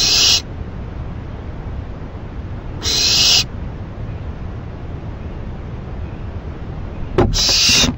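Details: Owl given a rabbit late on a May night, tearing it apart as food: three separate raspy, hissing screeches a few seconds apart over a constant low hum.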